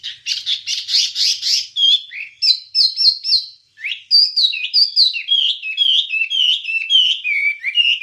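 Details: Wambie master song for training songbirds: a fast, dense burst of buzzy chattering notes opens, then a long string of clear whistled notes that step up and down and slowly fall in pitch.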